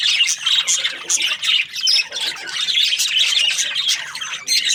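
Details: Budgerigar breeding pairs chattering together: a continuous flock mix of shrill squawks, buzzy warbles and quick high chirps, loud throughout with brief pauses near two and four and a half seconds.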